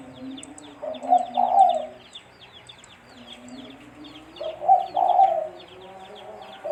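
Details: Spotted dove giving its mellow cooing call for use as a trapping lure. Two multi-note coo phrases, the final note longest, stand out against continuous high twittering of other small birds and a low droning tone.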